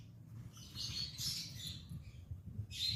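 Lovebirds give shrill, high chirps in quick, harsh bursts, with a pause before a final burst; a low hum runs underneath.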